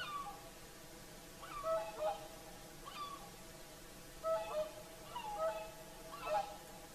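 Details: Evening chorus of several whooper swans on the Saimaa lakeshore, Finland, at sunset: repeated honking trumpet notes, some paired, some sliding down in pitch, sounding every second or so.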